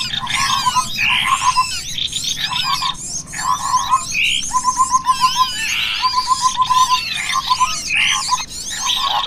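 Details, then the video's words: Cucak kopi lure recording for attracting small birds: rapid bursts of evenly pulsed low chattering notes repeated in short runs, overlaid by many high twittering, swooping calls throughout, dense and busy with a low steady hum underneath. "suara pikat burung cucak kopi dan burung kecil"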